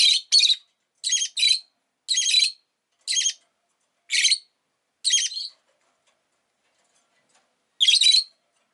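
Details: Rosy-faced lovebird, Agapornis roseicollis, chirping steadily: raspy high double and single notes roughly once a second, then a brief pause and one final chirp.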